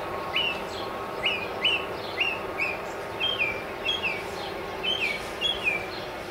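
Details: Northern mockingbird perched high in a mesquite in central Arizona, a cardinal singing below. Paired and repeated upslurred-then-falling whistles come in rapid bursts of two or three over a constant low background hum.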